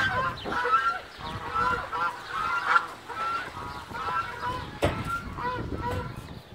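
Geese honk repeatedly in overlapping nasal calls, several birds calling at once in a steady, busy chorus.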